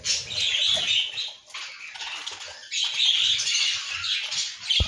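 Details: Budgerigars at their nests during a daily nest check give a dense, scratchy, high chatter in rapid bursts, fading briefly between spells; a faint knock is heard at the end.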